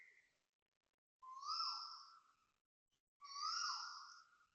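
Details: Asian koel calling loudly at 6:38 am on 5 December 2025 near a housing block in Toa Payoh, Singapore: two drawn-out, hollow whistled notes, each about a second long, swelling then sliding downward, spaced two seconds apart, with a quiet background.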